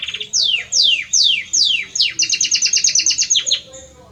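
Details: Male Belgian canary sings to a female with four loud downward-sweeping whistles, then a fast run of about a dozen sharp repeated notes.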